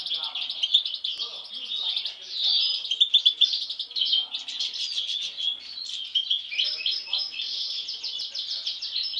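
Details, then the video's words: Sibling European goldfinches, two with an anomalous mask from birth, keep up bright, liquid twittering calls in rapid overlapping bursts throughout. "cardellino - jilguero - chardonneret - stieglitz"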